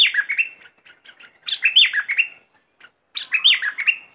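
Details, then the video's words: A bulbul from southern Thailand sings bubbly, warbling phrases of quick chattering and slurred notes, with rich bursts coming about every one and a half seconds; no other sounds stand out. "เสียงนกดอกแตงภาคใต้ สายเบิ้ล!!!Burung merbah lekir gacor bahanan"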